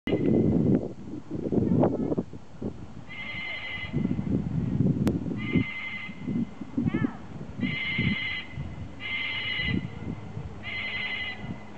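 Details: Pet cockatoo named Kaz, loose and high up a tree, accurately mimicking a constantly ringing mobile phone in about five bright, electronic trilling bursts, each under a second, over low voices and clatter.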